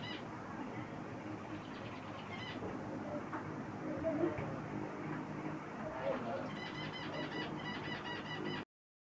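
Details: Zebra finches; after a noisy, muffled start, a run of short nasal, harmonic beeping calls repeats quickly through the last two seconds over steady low background noise.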